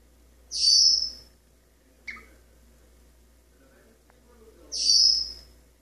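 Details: Male pet Maximilian's pionus parrot singing indoors from a kitchen faucet perch, practising scales: two loud high sustained whistles about four seconds apart with a brief chirp between, a low hum underneath.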